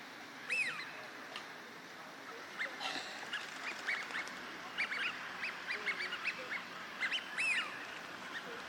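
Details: Eurasian wigeon calling at Junsaiike Ryokuchi, Chiba, Japan, in March 2025, wintering ducks in a park: clear rising-falling whistles, with a loud one at the start and another near the end, among many shorter chattering notes from a flock.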